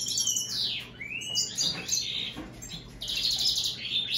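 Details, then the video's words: American goldfinch x European greenfinch hybrid singing: high twittering phrases with sweeping slurred notes dropping then rising, bursts of bright buzzy trills, over a steady low electrical hum. "هجين الحسون الامريكي مع الخضري"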